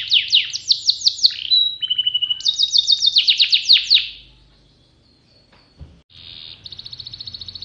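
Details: Kenari pocong canary in full song: rapid series of sweeping high notes, a steady pure whistle, another fast descending trill, a brief pause, then a soft buzzy high rattle.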